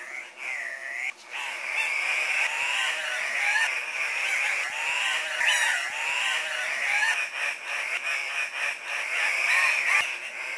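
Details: Andean cock-of-the-rock lek, where males display and compete for females. A dense chorus of harsh, overlapping squawks and bent, wailing notes runs nonstop, with a few short sharp clicks.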